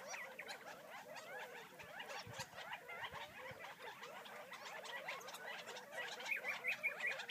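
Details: Wild Gambel's quail outside Florence, Arizona, calling while they feed. Dense, rapid clucking and chipping from many birds, with a short series of thin high notes near the end.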